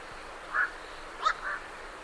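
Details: Night herons calling as they leave their roost, with great reed warblers in the background: two short hoarse croaks about 0.7 seconds apart, the second louder and followed by a fainter note.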